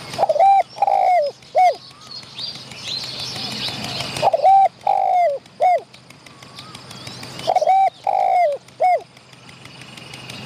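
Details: Wild spotted dove answering a decoy, chasing and fighting rival wild birds near the hide and showing off its voice: mellow three-part cooing phrases, the last note falling, repeated three times about every three and a half seconds. Faint chirps from other birds.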